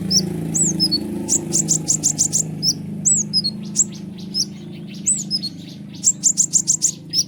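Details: Sunbird called kolibri ninja in continuous chattering song used to stir other birds: rapid rattling bursts of very high ticks alternate with sharp swooping whistled chirps, about three notes per second, with a low background hum.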